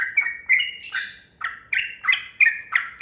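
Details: Yellow-vented bulbul, kebo type, singing its long rapid lure song for reluctant birds: fluty bubbling notes with a brief hissy rasp, then quick repeated two-note whistles every third of a second.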